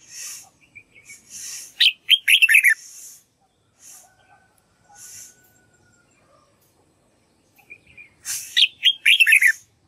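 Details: Red-whiskered bulbul practising its song, delivering two lively warbled phrases of rapid descending slurred notes about six seconds apart, with softer chirps, faint rustles and quiet gaps between them.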